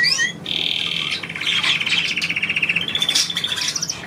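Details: Pet bird trilling on command from its owner indoors: after a brief whistled rising note comes a long, even, rapid pulsing trill lasting over three seconds, ending in higher buzzy twitters.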